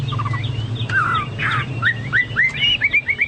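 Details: Chinese hwamei, singing actively and likened to cucak Papua or cucak mas: softer, varied whistled phrases building to a row of quick upslurred notes, with a steady low hum throughout.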